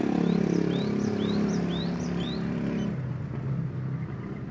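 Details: Male and female sooty-headed bulbuls (kutilang) in breeding condition, used to lure other bulbuls into song, give quick, thin upslurred chattering notes, about four per second, fading after three seconds, over loud engine rumble.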